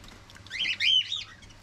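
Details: Pet cockatiels in captivity: a short run of three quick, wavering whistled chirps, rising and falling.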